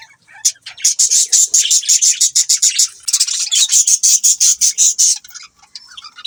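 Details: A budgie gives a fast, loud run of harsh, high, rasping chirps, about three each second, pausing briefly halfway, then stops abruptly.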